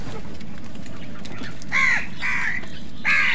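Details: Crows squabbling with other birds over food give three loud, hoarse, downward-arching caws in quick succession, above constant low background hum.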